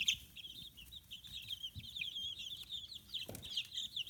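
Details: Chorus of 15-day-old free-range chicks in Kitahiroshima, Hiroshima Prefecture, Japan, feathers coming in; dense continuous high peeps overlapping, with a short knock near the end.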